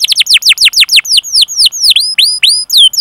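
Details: Canary in full 'gacor' song, a master recording for prompting other canaries to sing: a fast series of bright, downward-sweeping whistled 'cuit' notes. The notes gradually slow and become more spaced, with the curved sweeps running evenly to the end.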